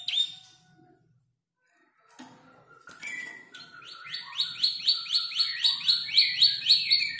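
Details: Canary aged about five months, learning song by mimicking ciblek, klik-klik and prenjak lumut tutors; after a brief whistle and pause, scattered chips build into a rhythmic series of rising-falling high notes.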